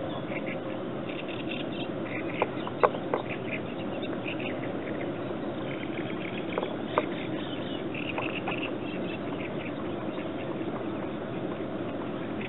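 Mallards give scattered soft, nasal quacks and chuckling calls over steady rushing background noise, with a few sharp clicks.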